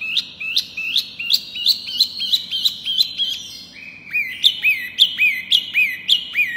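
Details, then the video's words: Pygmy cupwing singing steadily and loudly, a string of clear notes that each swoop up sharply then flatten, about three per second, shifting to a slightly higher, more ringing phrase halfway. "Si Kecil Wambi Mini Gacor Suara Keras Lantang Jos"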